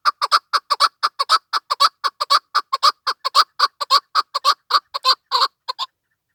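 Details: Chukar partridge, possibly female, calling in a rapid series of harsh clucking chuk notes, about two per second, rhythmic and loud, with no other sounds present.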